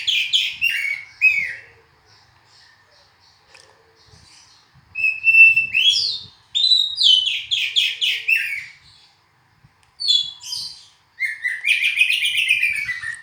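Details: Oriental magpie-robin singing loud, varied bursts separated by pauses: falling whistles, sweet rising notes and fast trilled runs, with soft low knocking noises in the background.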